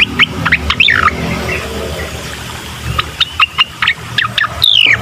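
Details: Bar-winged prinia song, used to prompt a bird that is reluctant to sing: scattered sharp high chirps and slurred notes at start and end, separated by a quieter stretch, with low background noise.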